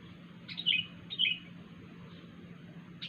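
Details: Two short, bright downslurred whistled phrases from a wild sooty-headed bulbul, a strange call, spaced about half a second apart, then quiet with faint hum and a sharp note at the end.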